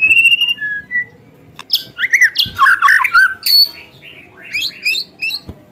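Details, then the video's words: White-rumped shama in full song meant to provoke rival birds: a clear whistle, then harsh squawky chattering notes and quick high buzzy chips in scattered bursts. "Murai Batu Gacor Full Tembakan Pedas, Sangat Efektif untuk pancingan emosi Murai Batu"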